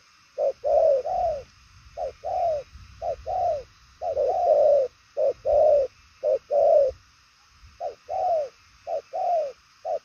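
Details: Purple-legged 'đồng son chân tím' spotted dove cooing in a speedy, far-reaching patterned style; hoarse arched coos delivered in short clusters, some doubled, with a longer lull near the seven-second mark.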